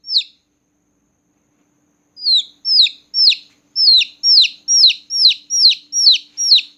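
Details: Loud night-time chirping of small newborn chicks: one high falling peep, a two-second pause, then a quickening series of shrill, descending peeps repeated about twice per second.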